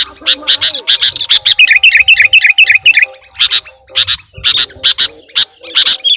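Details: Sooty-headed bulbul singing a lure song laden with imitated phrases: rapid run of repeated falling whistled notes, followed by evenly spaced sharp chips around two to three per second.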